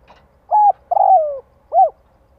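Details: Spotted dove lure call, a flat short coo, a longer downward-sliding coo, then a rounded arched final note, loud and clean.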